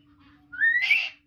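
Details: Talking common hill myna, a pet bird indoors, lets out a long rising whistle that breaks into a harsher, noisy burst at its peak before fading.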